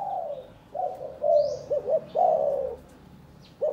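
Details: Caged spotted dove of the Vân rồng variety from Cần Thơ, Vietnam, being paired for breeding after its cages hung side by side for some days; soft, low hooting coos in drawn-out descending phrases with short rounded notes between, faint higher chirps behind.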